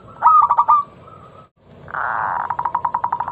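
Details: Local zebra dove singing a lure song to set other doves off: a loud run of quick, ringing coo pulses, a short pause, then a rougher drawn-out note leading into a long train of rapid, evenly spaced coos.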